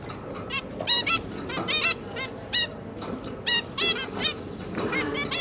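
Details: Feeding time for a zebra finch pair and their three juveniles, 5 September 2022; clear nasal toots spaced irregularly, about three dozen a minute, in twos and threes.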